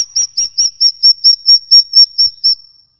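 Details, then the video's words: Bird, type unnamed, giving a long non-stop ngikik call used to lure other birds into singing: a high pure whistled note repeated about twice a second, each note steady in pitch, around ten in a row. "burung ngikik panjang 3 menit non stop"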